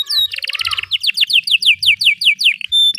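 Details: Caged canary song used as a training model for young canaries: a fast buzzy trill around mid-high pitch, then a run of rapid descending whistled sweeps repeated about five times a second, ending in a steady whistle.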